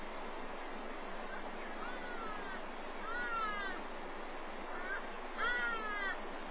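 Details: Black eagle at its nest in Walter Sisulu Botanical Garden, recorded by a wildlife webcam as an adult feeds its chick breakfast: two thin, whining, down-slurred calls with rich overtones, a few seconds apart, over steady broadband rushing hiss.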